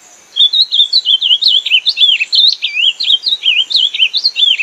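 Ultramarine grosbeak singing a fast, sweet warbled phrase of slurred whistles that rise and fall quickly, delivered continuously for several seconds; no other sounds.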